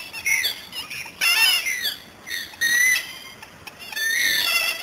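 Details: Dusky moorhen (Gallinula tenebrosa) in Australia, 2015-12-19, giving loud, harsh squawking calls in four short bursts about a second apart, with little else in the background.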